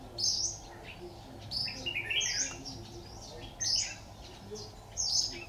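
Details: A red-whiskered bulbul singing as a trapping decoy, recorded 26 October 2019; clusters of high squeaky whistles and quick twittering chirps arrive in bursts every second or so against a hissy background.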